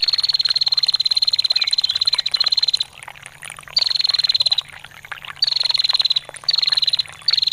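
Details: Bar-winged prinia female calling ngetir, played to teach caged songbirds. A long opening trill of nearly three seconds is followed by shorter rapid ticking bursts, all high and level, over gently splashing water.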